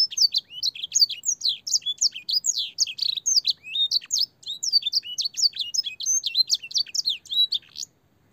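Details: Young-canary training song, a canary singing with blackthroat and sanger phrases: rapid, varied high whistles and twittering slurs in a steady stream, stopping abruptly near the end, followed by silence.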